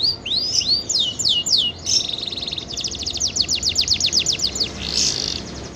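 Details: Lively, actively singing canary kept as a tutor bird for white-eyes: rapid high chirps and upswept whistled notes open into a fast, evenly repeated trill of sharp descending strokes, ending with a brief buzzy burst.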